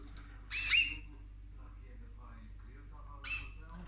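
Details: Female pet cockatoo caught eating her owner's orchids indoors; two short, harsh squawks with rising, ringing overtones, the first longer and louder, the second about two and a half seconds later and softer, over faint room hum.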